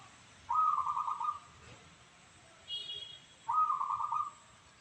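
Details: Local zebra dove (perkutut lokal) with a voice described as crystal: two rolling, trilled coos about three seconds apart, each under a second long and fairly level in pitch, with a faint high chirp between them.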